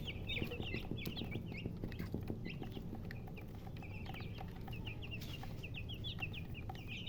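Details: Baby chickens peeping: a steady stream of thin, high, quickly slurred peeps, several every second, over a constant low rumbling hum.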